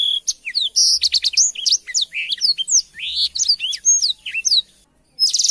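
A Black-throated Canary sings a fast, jumbled run of high chirps, trills and slurred whistles. A short pause follows, then a rough buzzy burst ends the phrase.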